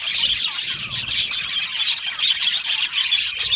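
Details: Crowded budgie aviary with shrill squeals, short sliding whistles and fast chirping, a constant high-pitched clamour.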